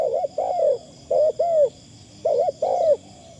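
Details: Spotted dove used as a decoy bird, its voice described as very fine with light phrasing: two paired deep coo phrases, each a quick double note then a longer rolling coo, separated by a second of quiet under a steady high insect hum.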